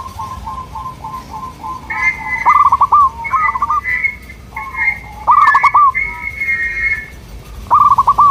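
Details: Local zebra dove song to lure other local doves. A series of soft coos leads into rolling stuttered phrases, while a higher, drawn-out whistling bird call overlaps several times.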